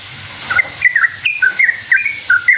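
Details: Bulbul lure song from a sooty-headed bulbul, intended to make others answer; a few quick bubbly whistled phrases, slurred up and down, starting after a soft hiss, with low background rumble.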